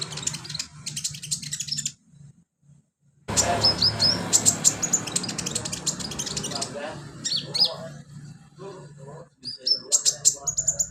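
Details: Sunbird singing vigorously, recorded as filler song for training other birds; rapid high, thin chirps and sharp whistled notes in bursts, broken by a short silence, over a low steady hum and background rustle.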